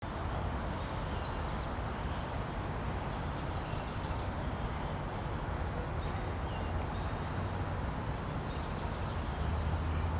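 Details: Woodpecker nestlings beg with a constant, high, thin chattering that runs without pause while a parent feeds them, over a heavy low rumble of background noise.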